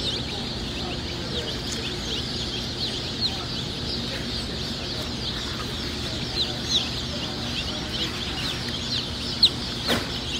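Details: Constant shrill peeping from many Easter Egger chicks, thin descending chirps layered densely throughout, with a few sharper louder peeps standing out.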